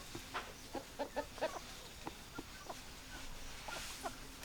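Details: Chicken clucks, short and punchy, come in a row of separate notes during the first half, then thin out into sparse, quieter clucks and background hiss.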